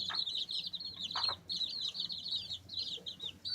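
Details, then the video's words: Baby chicks pecking and scratching: a dense, continuous stream of shrill high peeps from several chicks, broken by sharp pecking taps. "Cute Baby Chicks Pecking Scratching Chirping Sounds Noises!"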